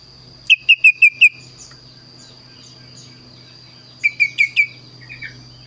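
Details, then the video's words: Kaso-kaso bird in full song, unusual and varied: a rapid burst of five sharp, identical whistled notes, a pause of nearly three seconds, then four more, over a steady low hum and high whine. "burung kaso kaso gacor suara unik"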